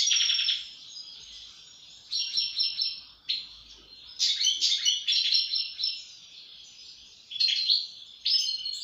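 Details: European goldfinch singing: bright twittering phrases of tinkling, buzzy notes between roughly 2 and 8k, in bursts separated by short quieter pauses, with a faint sustained tone underneath.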